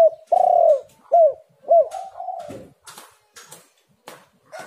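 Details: Spotted dove cooing as a lure: a long loud coo, two shorter arched coos and a trailing softer note, then sharp clicking sounds in the quiet that follows.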